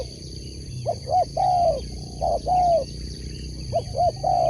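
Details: Tekukur, or spotted dove, at a sport dove contest sings mellow coo phrases, short clipped notes leading into a longer sustained coo, repeated three times, while crickets trill steadily in the background.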